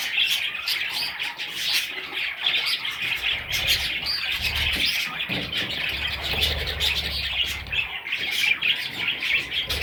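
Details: Baby budgerigars chattering continuously, many high scratchy chirps layered together, some low thumps in the middle.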